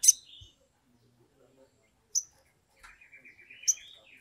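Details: Sumatran leafbird in agitated song, a recording used as a lure so other birds start singing. Sharp high chips spaced apart, then a buzzy run of quick notes flowing into a long rising whistle.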